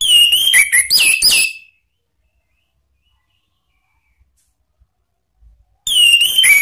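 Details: Orange-headed thrush song used as a lure for cage birds, ngeplong and ngeriwik styles: a quick burst of rich whistled and warbled notes, then a long silence, then another loud phrase begins.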